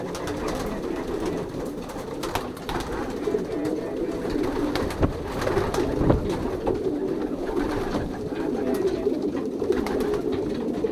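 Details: Many racing pigeons cooing together inside a young-bird loft during pairing, 2023: a continuous low, warbling hum of overlapping coos, with scattered clicks and scuffles.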